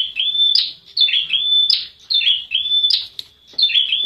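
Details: Prenjak wulung prinia giving evenly spaced phrases: sharp upward flick, falling chirps and a held high whistle, about four phrases, background quiet.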